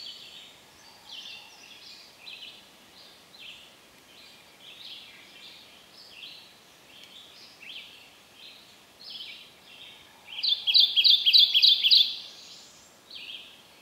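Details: Male Kentucky Warbler singing in shaded understory at Land Between the Lakes, Kentucky, on a cold, drizzly, breezy morning; after a backdrop of other birds' scattered high notes, a loud burst of about six rapid rolling two-part phrases comes near the end.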